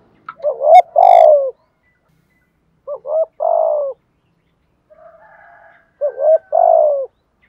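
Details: ["Spotted dove kept as a decoy, cooing 'thúc gù' style to stir other doves: three phrases, each a brief rising note then a long descending coo, with a soft low murmur before the last."]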